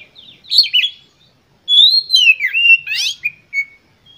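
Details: Energetic song of an Oriental magpie-robin (kacer), sung with full emotion to stir other birds: varied whistles sweeping up and down, a sharp chattering burst, then a level whistle.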